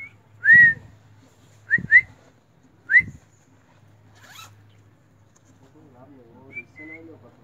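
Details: A bulbul at Satkhira, described as a talking bird, gives four short, upslurred whistled notes, one doubled, spaced about a second apart; faint voices follow at the end.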